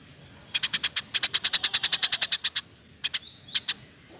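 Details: Eurasian tree sparrow in rapid 'nembak rapet' singing offered as masteran and lure: a steady string of about twenty shrill chirps, then a few spaced chirps mixed with thin gliding whistles.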